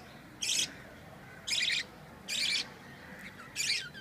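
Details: A pet Budgerigar at home gives short, harsh, scratchy chirps in bursts about once a second.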